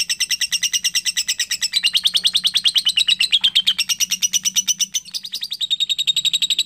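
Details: Continuous high, rapid chattering from a young lovebird in long ngekek style, tightly packed chirps with a short stumble near the end before the run resumes.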